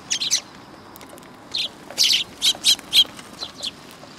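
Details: Eurasian tree sparrows gathering for food at a Tenmangu shrine on 19 August 2022 give sharp, high chirps, a quick pair at first, then a busier run of five or six notes after a short quiet gap.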